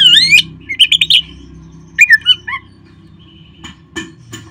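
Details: Oriental magpie-robin, its song meant to get caged birds singing: a sliding whistle, a quick buzzy trill, then short descending whistled notes fading to faint clicks, with a low hum beneath.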